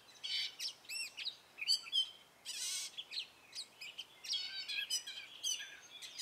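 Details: Spring song of a male gray catbird, a series of short varied notes including bouncy warbles, a harsh buzzy rasp, squeaky chirps and rapid stuttering phrases, some notes repeated.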